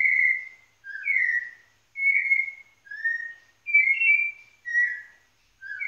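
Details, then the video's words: Pernambuco, Brazil: a white-necked thrush gives mellow, slurred whistles, some rising and some falling, spaced about a second apart, with nothing else audible. "Sabiá Coleira Cheia de Charme"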